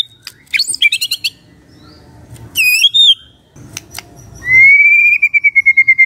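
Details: Magpie-robin song for mornings, intended to get a quiet bird answering: bursts of high clicking notes, a looping whistle, then a long clear whistle breaking into rapid even pulses.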